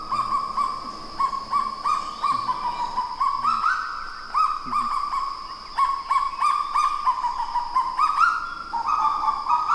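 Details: A pair of Kagu singing together at dawn in New Caledonia; long runs of rapid, clear, slightly rising notes at a steady mid pitch, phrases stepping up and down, with short low barking notes beneath and a constant high insect whine.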